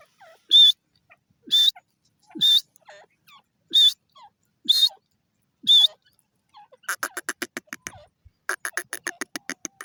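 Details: Pakistani desi teetar (francolin) calling: sharp, high whistled notes repeated roughly once a second, then a fast rattling burst of short clipped pulses at the end.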